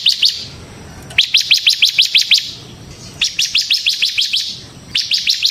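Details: Bar-winged prinia in ngebren-style gacor song, a lure for trained birds: four bursts of quick, clipped high notes, roughly six to nine per burst, with brief pauses between.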